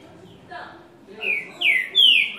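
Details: Green-winged saltator singing a six-note song with a "boi" note in the middle: a few softer opening notes, then three loud, clear whistled notes, each slurring downward, spaced under half a second apart.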